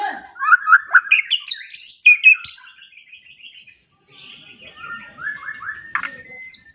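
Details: Morning and evening training song of a white-rumped shama: a dense burst of varied chattering and whistled phrases, a quiet pause, then soft descending notes and a high rising whistle.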